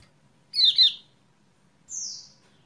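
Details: A doubled falling chirp followed by a high, smooth, slightly descending whistle from a kecial kuning, played as a lure for a bird that has stopped singing.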